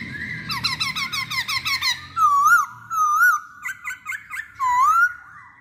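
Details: Masked laughingthrush lure song with a rapid series of short, chattering, bouncing notes, then loud, wavering whistles separated by brief pauses, over faint low hum.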